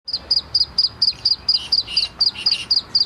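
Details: Black francolin chick giving rapid high thin peeping chirps, about five per second, steady and evenly spaced, with a few lower notes slipping in midway; faint low hum underneath.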